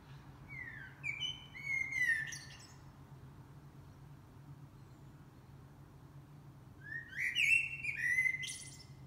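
A blackbird sings two mellow, fluty warbled phrases about five seconds apart, each trailing off into a thin, high squeaky twitter, over a low steady hum.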